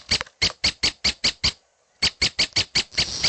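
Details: A young red-headed prenjak gives clipped, squeaky begging notes about five a second, goes quiet briefly, then starts another series that ends in a raspy hiss.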